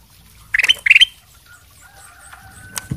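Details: Ruby-throated bulbul in full, vigorous song, kept as a lure bird to make others respond, giving two short bursts of clear, upslurred whistled phrases close together, then quieter background calls and a soft knock.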